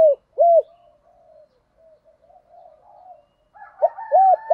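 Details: Spotted dove in the giọng thổ pha đồng coo style: the tail of one arched hoot, quiet wavering murmurs, then a fresh run of rounded hoots that starts near the end.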